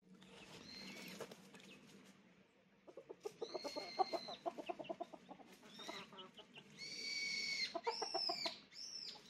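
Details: Chicken clucking in a fast run of short pulses, joined near the end by high, thin, rising and falling peeps, over a steady background hum.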